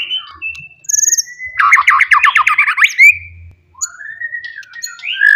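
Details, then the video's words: Wild forest white-rumped shama singing loudly to provoke rivals: a steady whistle leading into a dense rapid rattling trill, then a long rising whistled phrase. "KICAUAN ASLI MURAI BATU HUTAN. MEMANCING EMOSI LAWAN"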